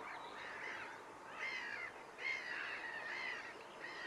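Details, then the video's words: Several whooper swans at Nosterfield on 28 February 2015 give overlapping, bugling honks, calling over one another about once a second against a soft background hiss. "Whooper Swans"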